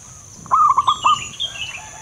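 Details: Male local zebra dove with a loud voice gives a single short phrase of four or five rapid throbbing coos, followed by high thin chirps from another bird.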